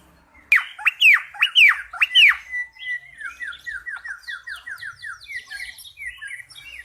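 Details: Cucak pantai bulbul in full song: five bold swooping whistles, then a fast, steady series of short downslurred notes lasting several seconds, ending in higher, fainter twitters.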